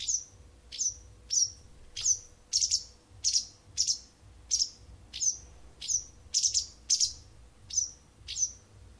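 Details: A wild bird singing for an indoor cat every morning and evening for almost a month gives a long run of sharp, high, falling chirps, roughly one every two thirds of a second, with a low background hum.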